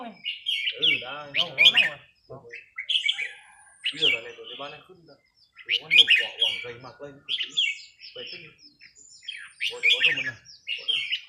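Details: Red-whiskered bulbul kept as a cage bird, practising on a day off: short sweet warbled phrases repeated every second or two, separated by brief gaps, with people's voices chatting in the background.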